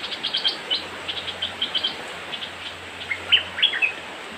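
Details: Young cream-vented bulbul, white-eyed type, delivers a scatter of brisk chirps, then louder sharp whistled notes near the end, with steady low hiss underneath.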